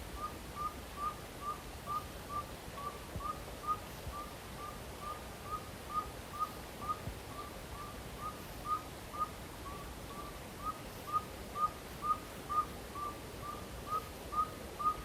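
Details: Northern saw-whet owl (Aegolius acadicus) at night repeating short, even, mechanical beeping whistled toots, about two per second, heard while searching for owls; advertising call.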